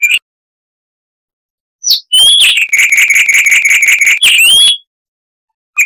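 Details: Chestnut-vented warbler, found in bush near dry rivers in southern Africa, singing a clear, loud phrase: a brief note, then a fast rattling trill of bright repeated chips ending with an upward-sliding whistle.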